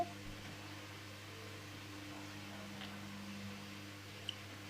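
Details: Quiet indoor hum with a faint tick near the end and no animal sound.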